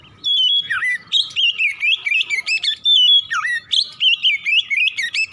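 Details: Oriental magpie-robin in full morning song for prompting another bird to sing: rich whistled phrases, sharp dips and rising flourishes, tumbling continuously with short gaps between bursts.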